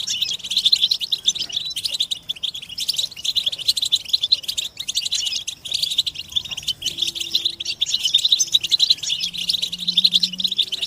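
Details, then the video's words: European goldfinches in a group, mating and readiness calls used to coax silent captive males into song: relentless high, buzzy-edged twittering and rapid chirp series, with a soft low hum rising toward the end. "بتبتة الحسون تحفيز الحسون على التغريد والهيجان علاج صمت الحسون goldfinch stimulation"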